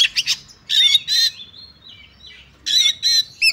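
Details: Oriental magpie-robin in combative fighting song: bursts of harsh, scratchy notes alternating with clear whistled slurs and soft gaps, harsh bursts returning near the end.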